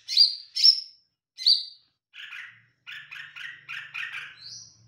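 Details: Olive-backed tailorbird in lively song: three loud high sharp notes, then a run of about eight lower, buzzy chattering notes in rapid series, ending in a thin rising whistle.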